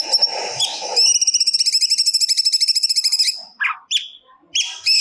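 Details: Captive cucak cungkok singing vigorously, recorded as training song for other songbirds: a brief noisy burst, then a fast even trill of about twenty high, bright notes lasting two seconds, followed by several separate sharp rising whistles.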